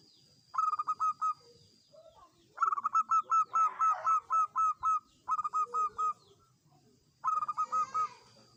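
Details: A local Indonesian zebra dove, used as a lure to prompt other doves to sing, gives bursts of quick, staccato cooing notes, four to ten per phrase, with a steady faint high hum behind.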